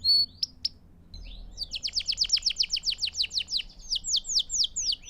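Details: Canary song used for training young birds to sing: after a few scattered notes, a fast series of bright downward-sweeping whistles repeated about six times a second, ending in slower, spaced slurred notes.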